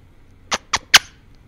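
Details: A pet eclectus parrot whispering into a microphone makes three soft, breathy, hissing whispers in quick succession, each a brief burst of airy noise, in a quiet room.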